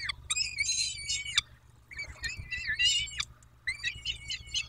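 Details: Peregrine falcon at a nest in Dobra, Poland, on 14 May 2021 around 14:18; loud harsh wailing calls in three long bursts with wavering, overtone-rich notes, steady electrical hum underneath.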